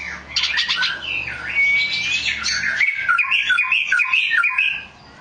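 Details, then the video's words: Oriental magpie-robin singing a long flowing phrase: quick sharp notes open it, then a clear drawn-out whistle followed by a string of bubbling, wavering warbled notes that fade at the end. "Burung kacer"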